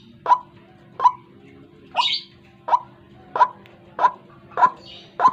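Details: Used as a morning trapping lure, this white-breasted waterhen gives clean, separate croaking notes repeated at a steady pace, with a faint higher sound near the middle.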